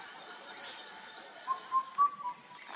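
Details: Indian cuckoo calling: four clear whistled notes, evenly spaced about a quarter second apart, at similar pitch with the third slightly higher and the last slightly lower. Faint high chirps from another bird come earlier, over soft background noise.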